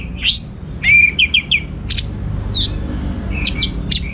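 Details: Orange-headed thrush delivering a gacor teler song rich in material: a rising whistle, a run of three bright slurred notes, then scattered sharp high chirps spaced apart, with low hum beneath.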